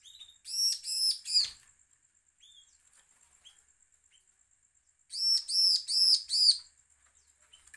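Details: A bar-winged prinia gives a threat call: two bursts of four or five loud, high, harsh arched notes, each burst about a second long, separated by a few seconds of quiet.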